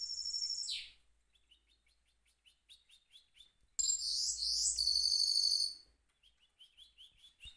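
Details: Mule goldfinch rolling in its cage: a loud burst of high trills, soft ticking notes repeated about three times a second, then another strong rolling phrase of rapid twittering, ending in quiet repeated chirps.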